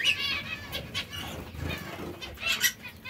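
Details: Captive zebra finches pecking seeds and fresh lettuce give short, buzzy, nasal syllables in quick bursts, with soft rustling between them.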